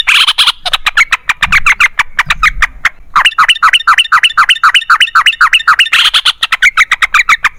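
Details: Long rapid trilled song of a yellow-vented bulbul, the style called ropel panjang, used to make other bulbuls sing: dense fast run of sharp repeated notes, about four per second, with a brief pause midway.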